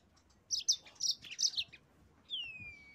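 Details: Yellow-fronted canary song used to provoke rival birds into singing: a short burst of bright, high chirped notes, then a long whistled note sliding downward.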